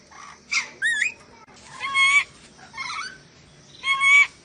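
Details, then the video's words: Ornate lorikeet from Sulawesi giving harsh, buzzy screeches rich in overtones, some with a bent whistled top note, in short bursts about two seconds apart over quiet background hiss. "MASTERAN BURUNG NURI DORA SULAWESI"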